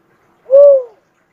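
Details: A single cuckoo-dove coo, a smooth mid-pitched note that rises slightly and then falls, lasting about half a second, clean and free of background sound.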